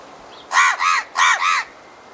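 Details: House crow giving four rapid harsh caws in two close pairs, each note hoarse and slightly arched, against a quiet background.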